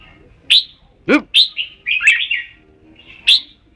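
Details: Red-whiskered bulbul singing: a handful of short, bright whistled notes, some slurred and warbling, broken by pauses, with one lower, harmonic-rich note near the middle.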